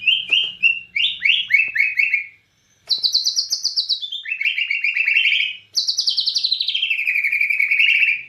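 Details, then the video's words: Borneo white-rumped shama singing energetically in cililin style: fast runs of short, high, downslurred chirps in rapid series, broken by a brief pause, then long rattling trills that slide from high to lower pitch. "Murai Batu Borneo Gacor Nembak Cililin"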